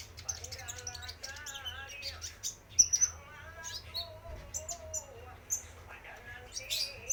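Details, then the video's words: Male Konin Trotol sunbird used as a lure, giving thin high chirps and twittering notes with lower warbled phrases, faint low hum beneath. "Pancingan Suara Burung Konin Trotol Jantan"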